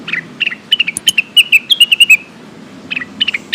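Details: Calls of a lesser green leafbird summoning companions, played as a lure to prompt silent birds: rapid sharp chirps sliding downward, clustered into a dense run of around fifteen notes, then a few scattered chips after a short gap.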